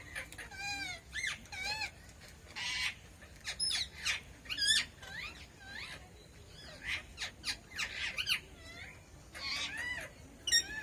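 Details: Red-breasted parakeet, also called moustached parakeet, calling in short harsh squeaky bursts with wavering, bent notes, several calls close together, then pauses of about a second before the next cluster.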